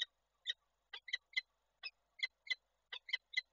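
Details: Winter nest webcam in Koszalin, Poland, 28 January 2024: with the male visiting, the female peregrine falcon gives rough, scratchy notes in quick pairs and singles, about a dozen in under four seconds.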